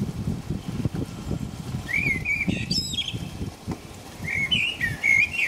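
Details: Common blackbird singing at night in the rain in England: a low mellow warble with a squeaky high ending, a pause filled with rain patter, then another fluty phrase.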